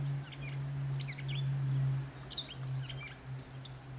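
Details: Catbird, noted for making different sounds, giving a jumble of short, varied chirps, squeaky slurred whistles and quick upslurred notes scattered through four seconds, over a steady low mechanical hum.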